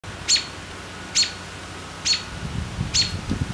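A robin gives four sharp, high chirps, roughly one a second, over a low background rumble.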